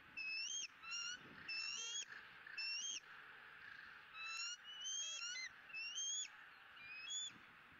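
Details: Shrill, rising whistled squeals in quick succession from a bald eagle eaglet during its second feeding of the day on 20 April 2017, captured by the Southwest Florida eagle cam.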